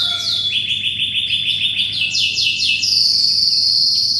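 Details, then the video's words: A singing canary, offered as a tutor song for training magpie-robins: long rolled trills of rapid repeated notes, each held steady then switching pitch, rising to a bright high trill at the end, with faint low hum behind. "SUARA BURUNG KENARI GACOR"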